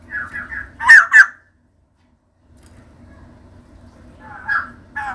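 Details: Female white-crested laughingthrush in full voice. Several rapid, harsh chattering notes are followed by two loud squawks, a pause of near silence, then more chatter starting near the end.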